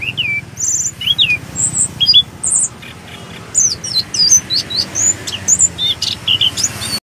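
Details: Orange-headed thrush (anis kembang) singing continuously in a rolling gacor ngeroll style: a lively run of varied short whistles, chirps and quick up- and down-slurred high notes in dense bursts, with a faint low hum beneath.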